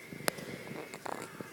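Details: A pet Monk (Quaker) parakeet gives a harsh, cackling burst of mimicked, maniacal laughter, as it does when playfully trying to bite someone.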